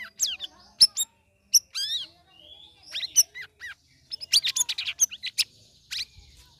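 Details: Sooty-headed bulbul, a cage bird in its third week of ombyokan conditioning, delivering ngeriwik ngeplong song: scattered clear whistled slurs and crisp chirps, then a denser chattering cluster of bright notes near the end, in quiet surroundings.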